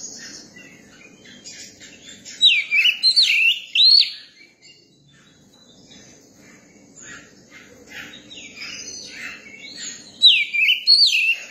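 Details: Young Oriental magpie-robin singing. Quiet twittering chatter is broken by a loud phrase of swooping, curling whistles. A long softer stretch follows, then another loud whistled phrase near the end.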